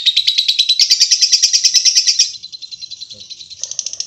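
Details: Lovebird in its long chatter style, a fast, even stream of high, buzzy chirps about three per second, brightening midway, then softening into quicker, fainter notes before a sharp final burst.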